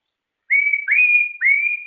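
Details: White-rumped shama, a bird kept by hobbyists for its song, gives three clear sustained whistles, each sliding up from a short lower start and holding one steady pitch, with nothing else heard.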